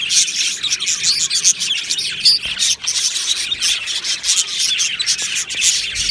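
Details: Budgie colony in an aviary, 22 June 2025: dense, high warbling chatter of many overlapping birds, quick chirps and buzzy notes with a brief dip in loudness near the middle.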